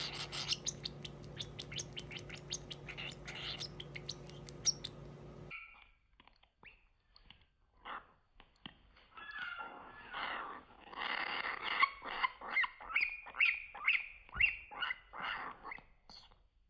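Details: A baby Cockatiel (Nymphicus hollandicus) gives rapid, raspy begging chirps while being fed.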